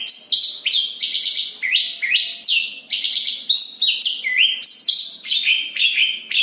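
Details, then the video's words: Javan bush lark in Kediri singing vigorously, a dense roll of sweeping whistles falling from high to middle pitch, punctuated by brief sharp chips and buzzy bursts, kept up continuously. "Branjagan gacor ngeroll rapat."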